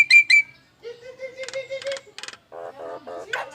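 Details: Nias hill myna making strange sounds, dubbed an anti-thief alarm: two sharp high whistled notes, then a steady mid-pitched tone with rasping bursts, ending in a run of harsh buzzy notes.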